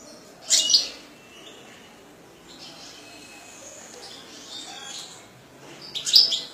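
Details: Captive European goldfinch from a keeper's bird collection giving brief loud bursts of high, sharp twittering notes at the start and end, with quiet faint chirping and hiss between.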